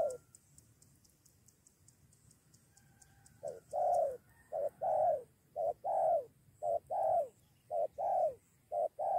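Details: Spotted dove answering a lure, about to fight: quiet opening with faint high ticking, then paired coos begin, a short note and a longer falling one, repeated briskly.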